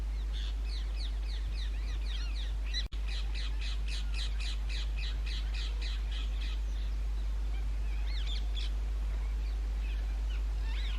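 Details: Rose-ringed parakeets (Indian ringneck green parrots) at their natural nest holes in an old railway bridge during the summer breeding season: a fast run of harsh, shrill screeches, about two per second, then scattered squawks, with steady background hiss.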